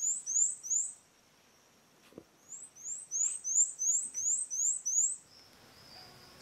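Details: A male Fawn-breasted Tanager (saíra-viúva) singing from its perch on a sunny Sunday dawn in Atlantic Forest, Santa Catarina, southern Brazil, among a foraging flock of tanagers: very high, thin notes in quick runs of about three per second, in two bursts; faint knocks.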